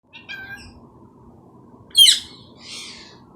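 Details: Pet Indian ringneck parrot, said to talk in Urdu and Hindi, giving a few short, thin harmonic squawks early on, then a loud sharp chirp and a softer rasping call, over a low steady room hum.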